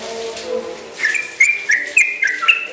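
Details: Yellow-vented bulbul beginning a long rapid song, the 'ropel panjang'. After a second of low murmuring background, loud whistled notes start, stepping between two pitches in quick, bouncy pairs.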